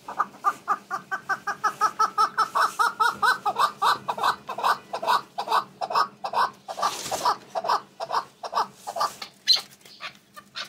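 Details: A male red-billed spurfowl (partridge), hand-hatched, gives a harsh, grating cackle of rapid notes, about two or three a second, running on for several seconds, with a brief rustling noise midway.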